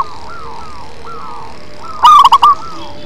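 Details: Local zebra dove singing in a deep, bass style: a single loud, clustered burst of rapid staccato coos after a run of fainter, evenly spaced arching notes from other doves in the background.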